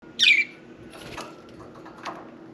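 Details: Pet budgerigar indoors at bath time, one bird taking the bath: a single short harsh, scratchy chirp near the start, then quiet room tone with faint soft rustles.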